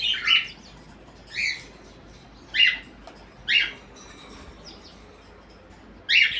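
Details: Parrots in the morning: five short, harsh, raspy squawks, spaced roughly one to one and a half seconds apart, with quiet pauses and a faint steady hiss between them.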